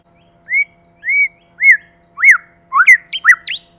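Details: Male and female white-rumped shama, 'kích lửa' song: three evenly spaced, arched, whistled notes about half a second apart, then quickening, sharper V-shaped notes in a short flourish.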